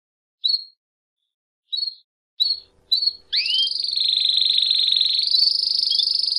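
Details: Domestic canary, male, in campainha (bell) song with a female calling: four short high chirps spaced apart, then a sustained, even, ringing trill lasting about three seconds.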